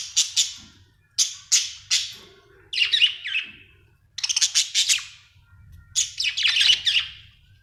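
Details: Happy pet budgerigar chirping in clustered bursts of bright, high, rapid chirps, some running into scratchy warbled sequences, with short pauses between groups, in a quiet setting.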